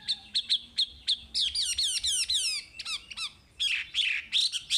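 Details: Chinese hwamei song used to train caged birds: crisp staccato whistles, then rapid descending slurs, a pause, and loud swooping, scratchy phrases to close.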